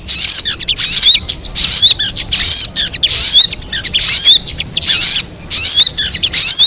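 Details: Crested jay calling in a lure track. Rasping, buzzy bursts with sharp whistled inflections recur about every second, broken by a clear pause near the end.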